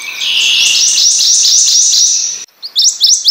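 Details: Prothonotary warbler delivering a sustained run of clear, high, slurred notes, then a brief silence before a few more sharp ringing notes.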